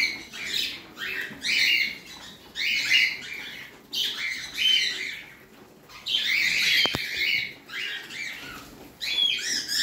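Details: Parrot kept at home chattering in harsh, squawky chirp bursts, closely spaced with brief pauses, plus one sharp click near the end.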